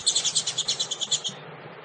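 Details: Female double-collared seedeater call, used to get males going: a rapid run of about a dozen high, buzzy chips, roughly nine per second, then an abrupt stop.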